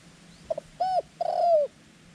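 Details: A double clipped note, then two ringing arched coos, the second long and gently falling, from a white-clawed decoy dove calling wild doves toward a ground trap.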